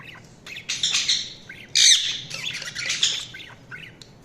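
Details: Budgerigar chatter of scratchy, buzzy squawks mixed with short upward chirps, uneven and busy, with a louder harsh burst in the middle.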